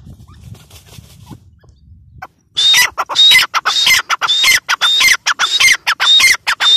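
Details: Female grey francolin (teetar) calling: after about two seconds of faint low rumble, loud harsh, squeaky notes with a thin whistled edge burst out in quick series, about two per second, each chopped by short gaps.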